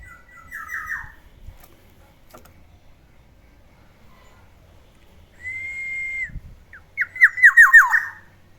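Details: Pet black-naped oriole singing in the morning: a short falling series of slurred whistles, then a long steady whistled note, then a quick run of five or six downward-sliding notes. The background is quiet.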